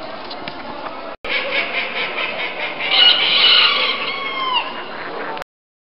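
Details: Black-silver Booted Bantam at a poultry show in Wintzenheim, France, 18 September 2011: busy hall with many birds, dense overlapping squawks and clucks, some drawn-out downward-sliding calls near the end.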